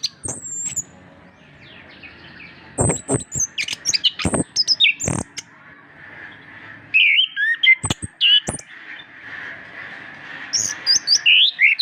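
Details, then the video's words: Master recording of an Orange-headed thrush singing, meant to prompt birds that are hard to get singing: varied high whistles and chirps mixed with sharp clicks, with a steady background hum throughout. "masteran anis kembang gacor untuk perangsang burung susah bunyi"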